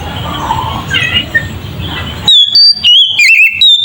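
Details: Oriental magpie-robin singing ngeplong style as a provoking lure. After a hissy stretch with soft distant chirps, a loud run of pure whistled notes begins, stepping between high and lower pitches with quick swoops.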